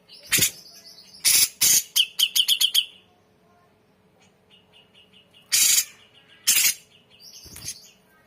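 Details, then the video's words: Grey-cheeked bulbul singing energetically as a training recording: loud harsh chattering bursts alternate with a fast run of short clear notes repeated several times a second, then a quiet pause and more rasping bursts. "MASTERAN CUCAK JENGGOT Full Isian Gacor"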